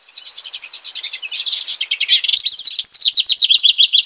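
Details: Bubbly house wren (Troglodytes aedon) song that opens with soft, spaced high chirps, then swells into a continuous, loud stream of rapid, jumbled trills and chattering notes lasting several seconds.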